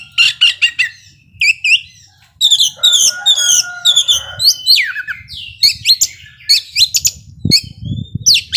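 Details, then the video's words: Oriental magpie-robin in full song, said to provoke emotion in slower-tempered rivals: rapid harsh rattles and buzzy notes mixed with sweeping whistled phrases and downslurs, delivered in quick bursts with short pauses; faint low rumble beneath. "Kacer gacor ngobra bisa memancing emosi kacer yang lambat emosi"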